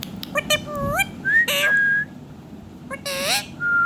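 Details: Pet rose-ringed parakeet, a talking ringneck performing song and dance, mixes rising whistled notes, long flat whistles and loud gritty screeches in irregular bursts against faint low background noise.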